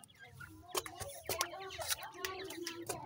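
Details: Several grey francolin chicks at a breeding setup utter low, buzzy clucking notes and short chirps in an uneven series, with sharp tapping clicks between calls.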